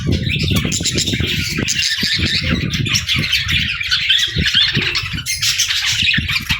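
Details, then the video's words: Pet birds chirp continuously in a raspy, jumbled warble over a background of low thumping and rustling. "Bird Chirping Sound"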